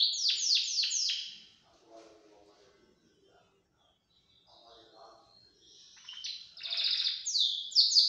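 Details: Belgian canary singing outside its cage: bursts of high, rapid descending trilled notes at the start and end, separated by a quieter stretch of faint low chattering sounds.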